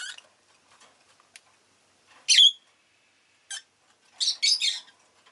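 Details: Pet rosy-faced lovebird uttering a loud grating squawk-chirp, a short sharp note, then a rapid run of three raspy chirps, with quiet clicks in the pauses.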